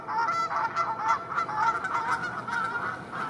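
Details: A group of Canada geese feeding in a pasture in northern France, honking steadily: several overlapping nasal, two-toned honks, a few each second with no pause.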